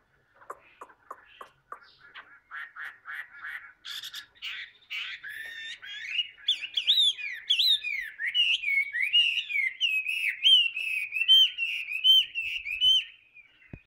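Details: Tamed caged Chinese hwamei starts with short clipped repeated notes that build into a long flowing song of loud rolling whistles and rich warbled phrases.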